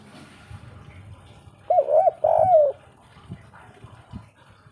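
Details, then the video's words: Spotted dove (derkuku), 'kuk 3' style: two mellow, wavering coos, the second longer and falling away, over faint low rumbling background. "suara burung derkuku kuk 3"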